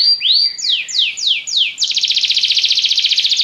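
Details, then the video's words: Yellow Belgian canary singing: a rising slur, then four clear downward-swept notes, breaking into a rapid, even, high trill of fast repeated pulses. "canário belga amarelo se destacando no canto, gogo de ouro"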